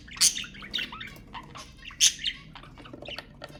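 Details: Budgerigar chatter played to stimulate budgies: two loud piercing chirps among softer warbling notes, short low whistles and scattered clicks.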